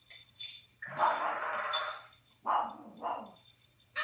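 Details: Indoor Eclectus parrot mimicking English and Flemish speech on 21 January 2015: a long, rough, drawn-out utterance followed by two shorter gravelly syllables, with a person speaking briefly afterwards.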